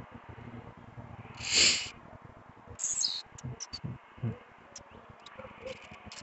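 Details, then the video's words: Agitated Blue-black grassquit at night: a loud, harsh, high burst, then a thinner buzzy phrase with a downward slur, followed by scattered short high ticks over low background rumble. "tiziu noturno cantando muito tá a tivado"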